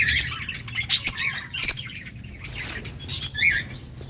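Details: Budgies chattering to each other with sharp clicky chirps and short squeaky warbles in uneven bursts, a few louder ticks standing out.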